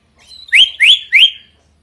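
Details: Loud drongo song: three strong rising slurred whistles in quick succession, each sweeping upward then levelling off, evenly spaced about a third of a second apart.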